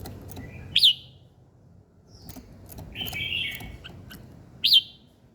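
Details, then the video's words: Birds singing in the morning: loud high whistled notes sweeping down, near 1 and 4.7 seconds, between softer warbling phrases and brief clicks, over a faint low background hum. "Buổi sáng nghe chim hót chơi"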